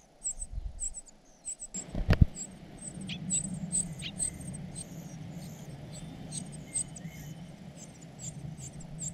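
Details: Cuckoo nestling in the care of foster parents repeats faint, high-pitched peeping notes steadily, over a low rumbling hum and a sharp tap near the start.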